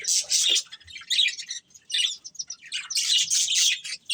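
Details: Pet budgerigars, a breeding pair, trading bright chirps and warbled chatter in clustered bursts separated by short quiet pauses.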